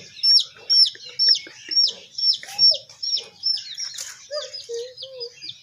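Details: Baby chickens peep in high, rapid falling notes, roughly two per second, while lower soft clucks and short trills appear toward the end, with some rustling.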